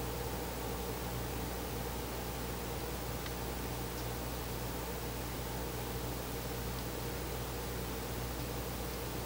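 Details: Steady hiss and low hum with a faint rustle, and no animal voice, during a pre-dawn nest watch in August 2020.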